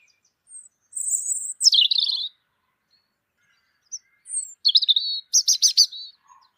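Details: European robin chirping peacefully: thin high whistled notes, a sharply descending slur into a wavering tone, then after a pause a rapid buzzy stuttering trill ending in a short warble.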